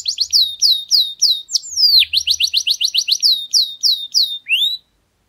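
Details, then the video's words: Singing canary in a garden: loud fast series of descending whistled notes, a quick rolling run in the middle, ending on a rising sweep before silence. "Canario cantando en el jardín"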